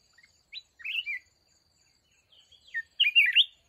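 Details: Wild mountain red-whiskered bulbul at a decoy trap: a short slurred whistled phrase, a pause, then a louder tumbling run of chirpy warbled notes, clear and close.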